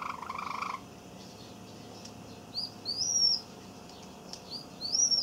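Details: Young male Java sparrow singing a song learnt from an older male, 7 May 2017: a short burst of lower buzzy sound, then two sets of high, thin, bell-like notes sliding upward, about two seconds apart.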